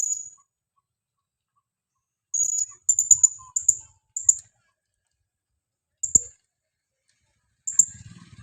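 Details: Lively female blue-crowned hanging parrot calling to attract other birds: a string of short, shrill, very high squeaks, some doubled, spaced irregularly over several seconds with brief quiet gaps and soft clicks.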